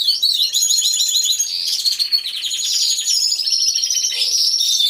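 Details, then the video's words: Chorus of canaries in an aviary, captured by a hidden camera, all singing at once: continuous high, rapid trilled phrases and fast repeated syllables layered over each other without pause. "CANTO DE CANARIOS | AVIARY SOUNDS (SONIDO REAL DE UN AVIARIO DE CANARIOS)"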